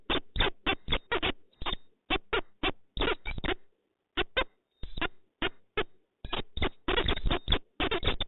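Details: Peregrine falcon pair meeting in Poznań, Poland, on 4 January 2023: a run of harsh, clipped calls in quick bursts, some doubled or clustered, with short silent gaps between groups and a muffled, band-limited sound.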